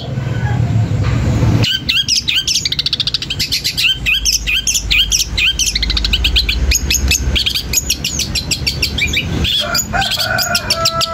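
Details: Long-tailed shrike song used to rile other shrikes into responding: long, fast, continuous run of high scratchy and whistled notes, dense and varied, with a low hum beneath.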